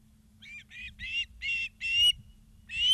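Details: Nest-camera recording of an osprey in Charlo, Montana, 2 September 2023, 16:03: five short piercing whistled notes building in loudness, a brief gap, then another rising note starting.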